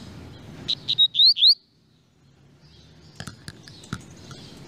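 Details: Double-collared seedeater giving a short loud phrase of clipped notes and rising whistled slurs, then a pause and scattered faint clicks and distant high notes.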